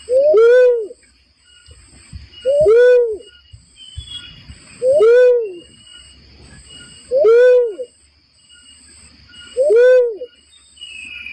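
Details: Barred cuckoo-dove lure call for trapping: five rich, hollow whoop notes, each swelling up and sliding down, repeated steadily about every two and a half seconds over a faint continuous high-pitched hum.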